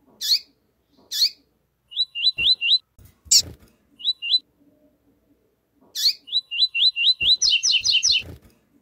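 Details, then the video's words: Male double-collared seedeater in "tui tui zero zero" style answered by a calling female: sharp high chip notes, then sets of two to five rapid slurred whistles, ending in a louder burst of doubled, buzzy stacked notes. "Coleiro tui tui vs Fêmea piando coleiro tui tui zero zero"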